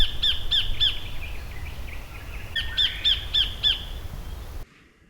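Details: A Sacred Kingfisher gives its sharp, harsh "kek-kek-kek" call, about three or four notes a second in two short bursts, over a low background rumble; the call sounds similar to the Spangled Drongo's.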